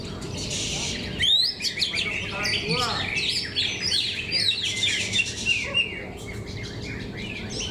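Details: Greater green leafbirds sing in a bird contest at Cikeas: a sudden loud burst of sweeping high whistles, then continuous chattering, slurred notes and twitters from many birds, with faint voices below.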